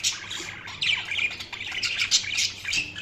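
Budgerigars chatter in a continuous high, scratchy stream of rapid chirps and warbles, with several birds overlapping and no pauses.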